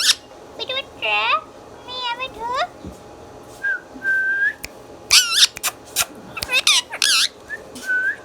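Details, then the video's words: Talking pet Indian ringneck parrot uttering rapid, rough, voice-like harmonic phrases mixed with clicks and a few clear whistled notes, busy throughout. "Mithu Mithu Bolne Wala Tota | Indian Ringneck Parrot natural Sounds"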